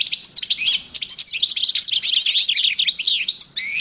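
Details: Dense, high, tinkling song from a male European goldfinch living with a female canary in 2012; quick chattering twitters and bright trilled notes run together without pause.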